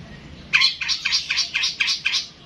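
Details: Long-tailed shrike giving a run of about seven harsh, evenly repeated scolding notes in quick succession.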